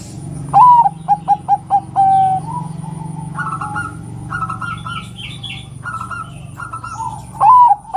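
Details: Female zebra dove of the Bangkok type calling to prompt males to sing: a rising first note, then a quick run of five short cooing notes and a drawn-out coo, repeated near the end; other birds chirp higher in between.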